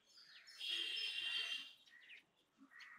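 A tailorbird gives a harsh, hissing burst followed by a couple of sharp, high chirps, over faint background noise.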